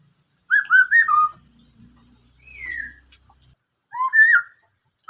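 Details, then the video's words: Black-throated laughingthrush performing the "bắt cô trói cot" style of song: a fast trio of whistled notes, a pause, a high falling slur, then a low note and a rising, wavering whistle. "em khướu bạc má hót bắt cô trói cột"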